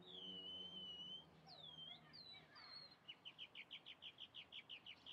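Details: Calandria, the chalk-browed mockingbird, sings long clear whistled slurs, then a rapid even series of about a dozen identical bright notes repeated several times per second; a low hum runs beneath.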